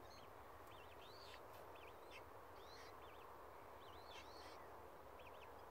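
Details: Australasian swamphen chicks at Tamar Island Wetlands, 26 October 2018: thin, high, wavering peeps given in short bursts about every second, faint over a steady low rumble of background noise.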